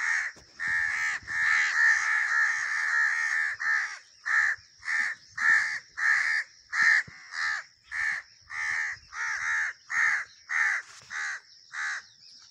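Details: Crow cawing in a long, steady series of about sixteen short, grating calls, spaced roughly every half second to second, with the later calls more clearly separated by short silences.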